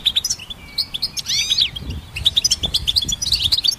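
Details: ['Goldfinch hybrid singing, recorded to train songbirds: a quick chirp run, then a drawn thin whistle and a burst of upward-sweeping notes, followed by further rapid twittering.']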